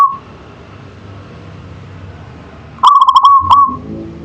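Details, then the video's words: Local zebra dove singing in the manggung style: after a near-silent pause, one loud cooing phrase opens with quick pulsed notes that run into a steady rolling coo. A brief tail of an earlier coo sounds at the very start. "Suara Perkutut Lokal Manggung"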